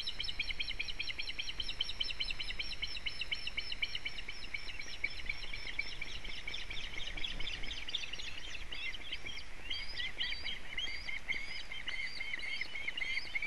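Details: Osprey at the nest with a fish in Latvia on 4 July 2017, in wet weather: a long run of rapid, high, whistled chirps repeated almost without pause, over a steady background hiss.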